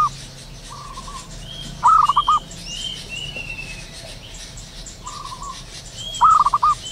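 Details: Zebra dove calling in the wild at morning, giving loud rapid stuttered cooing bursts about every four seconds, each preceded by a softer trill; faint whistles of other birds in the background.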